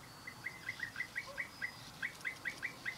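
European bee-eater giving short, rolling, liquid 'prruip' notes in a rapid series, about four or five a second, over faint background hiss.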